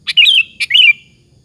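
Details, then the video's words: Sooty-headed bulbul song used to provoke rival bulbuls to reply: two loud, liquid phrases in quick succession, each a sharp note sliding into a warbled, falling whistle. "suara PANCINGAN BURUNG KUTILANG BUNYI GACOR satu ini, Pandai memancing EMOSI LAWAN"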